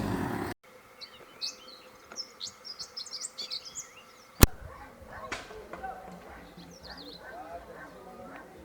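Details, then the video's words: Starlings chatter on a rooftop in Herbertsdale, Western Cape, South Africa, at sunset: quick bursts of high chirps, squeaks and short rising whistles, a sharp click partway through, over a low steady hum. "You can hear some starlings having a conversation on this rooftop."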